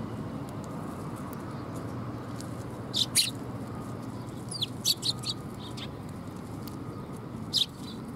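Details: Sparrows gathering for food at a Tenmangu shrine on 30 September 2021: scattered high chirps, a pair near the start, a brief flurry midway and one more near the end, over a low background drone.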